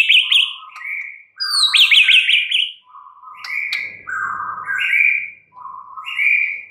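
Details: White-rumped shama in full song, alternating quick trilled zigzag notes with rich low and mid whistles in short, varied phrases and brief gaps.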